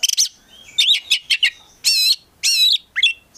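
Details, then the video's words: Kept Oriental magpie-robin singing a varied full song: quick chattering notes, short harsh buzzy bursts and whistled slurs separated by brief pauses. "KACER GACOR FULL ISIAN"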